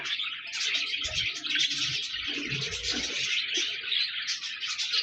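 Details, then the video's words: A flock of budgerigars chatters steadily, overlapping high, warbling chirps, with some low rumbling noise underneath. "Budgies Birds talking sound | Birds chirping sounds"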